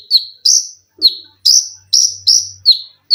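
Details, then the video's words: Olive-backed sunbird (konin) kept in a cage, singing sharp high notes about twice a second, alternating falling chips and brighter arched notes, over a faint low hum. "TERAPI KONIN GACOR FULL TEMBAKAN RAPAT!!!MESIN JAHIT,LENGKINGAN DAN BESETAN."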